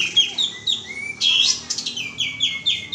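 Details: Bulbul known locally as kapas tembak giving a lure call of quick repeated chirps and sliding whistles, steady throughout the short clip.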